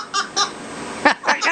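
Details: At bedtime in a dark small room, a pet African Grey Parrot mimics humanlike laughter that sounds like a monkey: two short, breathy hoots, a pause, then two longer, rising chuckles.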